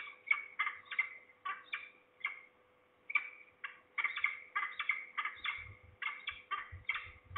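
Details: At least two falcons, possibly young or a parent, in Trzebież, Poland, on 2 September 2019 in the afternoon. Rasping notes repeat rapidly in clusters with one brief silence midway, and faint low thumps appear near the end.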